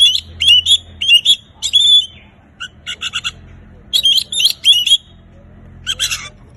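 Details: An Oriental magpie-robin singing prolifically: short clusters of bright whistles and sharp chirps, some slurred upward, repeated in groups about every second with brief pauses. A faint low hum lies beneath.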